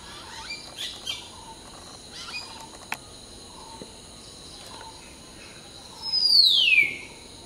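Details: Hill myna in the morning chorus while preening: faint scattered chirps, then one loud, long whistle sweeping steeply downward near the end, over faint hiss.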